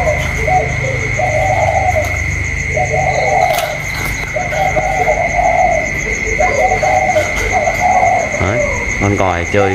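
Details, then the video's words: Decoy spotted dove in a calling contest with a wild bird, 27 October 2022: four or five throaty cooing phrases spaced a second or two apart, brief speech at the close, constant high whine. "chim cu còi trong đấu với thổ ngoài"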